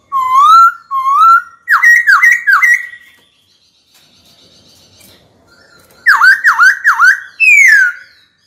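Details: White-cheeked laughingthrush kept in a cage sings to call a rival to fight: two rising whistles, a quick run of dipping notes, a quiet gap, then more dipping notes and a falling whistle.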